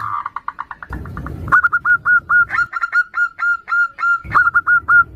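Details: Local zebra doves trading calls, a female summoning the male, recorded as a lure: soft rapid notes give way to a long steady series of sharp, clipped coos on one pitch, with brief rustling noise.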